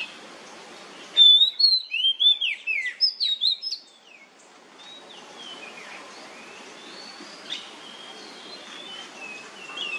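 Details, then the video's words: Lure recording of an oriental magpie-robin in nyemplong style, meant to make other magpie-robins sing. About eight loud whistled, down-slurring phrases come in quick succession, then soft distant whistles against steady noise. "KACER NYEMPLONG PANCINGAN KACER AGAR MAU BUNYI DIJAMIN NYAUT"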